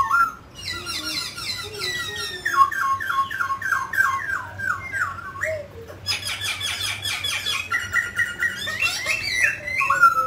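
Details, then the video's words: A mutant grey laughingthrush sings while dancing: a loud run of rich, falling whistled slurs repeated several times a second, then a dense burst of harsh chattering notes over a faint indoor hum. "Chú chim khứu xám tro đột biến hót múa"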